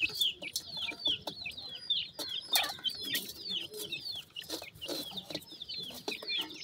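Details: Mikado pheasant chicks eating with their mother, piping high downward-slurred peeps in quick irregular succession, broken by clicks and pecking taps.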